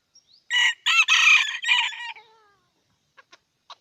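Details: Aceh red junglefowl crowing: a short faint whistle, then a loud rasping crow in four choppy sections with a softer tonal fade, followed by a few sharp clicks.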